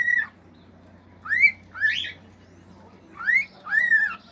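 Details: Pet male cockatiel in a home, singing natural songs and whistles: a short high note, then upward-slurred whistles and arched falling whistles in loose pairs with gaps of quiet.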